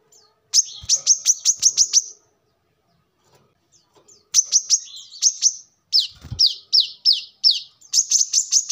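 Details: Brown-throated sunbird, recorded as a lure or as a master song for training birds, gives fast trills of sharp high notes. A long silent pause is followed by a string of downslurred notes and another trill.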